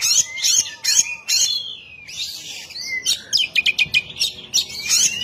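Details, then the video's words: Provocation song of an oriental magpie-robin, used to rile an opponent: bursts of harsh, scratchy high notes alternating with clear gliding whistles, delivered rapidly and unevenly, with brief pauses between phrases. "Kacer ngeplong bikin lawan emosi || pancingan Kacer gacor"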